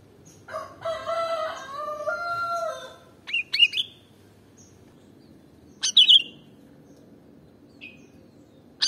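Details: Sooty-headed bulbul song played to lure birds: a jumbled, harmonic warble low in pitch at the start, then short, bright, rising-falling whistled phrases at about 3.5 and 6 seconds, with a faint steady hum beneath.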